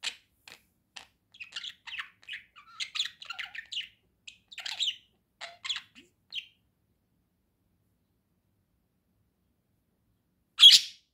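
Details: Domestic budgerigar twittering in quick soft chatter for several seconds, then silence, closed by one loud sharp chirp.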